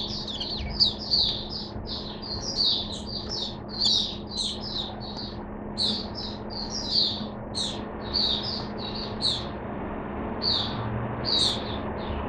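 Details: Long, lively high-pitched song from a caged Oriental white-eye, given mixed drinking water; fast chirped and trilled notes pour out almost without a break, over a low steady hum.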